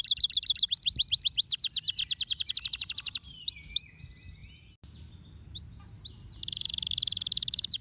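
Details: Canary tutor song (masteran) from Indonesia: a buzzy roll turning into a fast trill of repeated notes, a few hooked chirps, a brief quiet gap, then a steady buzzing roll again.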